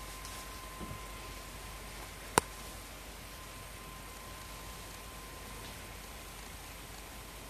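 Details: A quiet indoor room with a low steady hum and a single sharp click, and no animal voice.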